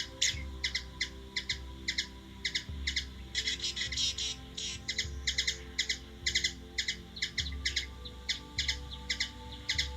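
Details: Hummingbird, Washington DC, USA, chipping persistently for ten seconds, single and doubled notes with a denser twittering spell around the fourth second, over low-pitched background rumble.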